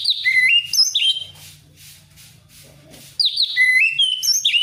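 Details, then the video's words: Loud, wild-style song of an orange-headed thrush meant to coax another thrush into singing: quick varied whistled phrases jumping up and down in pitch, broken by a brief hissing burst mid-clip before the whistling resumes. "Anis merah ngeplong ngalass"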